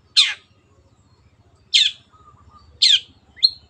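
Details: Long-tailed shrike kept in captivity producing loud scratchy rasps, three spaced notes followed by a short thin whistled note, faint low rumble beneath.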